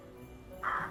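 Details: A rook, of a population now increasingly staying through winter in central Russia rather than migrating, gives a single harsh, hoarse caw over faint background music.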